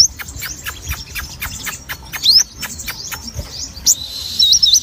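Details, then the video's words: Sogon singing briskly, with high slurred whistles among many loud clicks and taps, ending in a steady high tone with twisting whistled notes. "sogon mania gacor"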